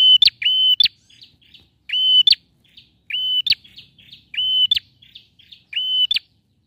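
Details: Energetic male bar-winged prinia song for prompting a silent bird to sing, with rapid repeated phrases: upswept note, level whistle, abrupt click, then faint buzzy trill, roughly every second.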